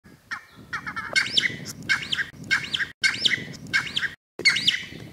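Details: Cheer pheasant at Manela, Uttarakhand: a series of loud, harsh notes with looping, rising-and-falling tones, delivered in short bursts roughly every second with brief pauses between, over faint background noise.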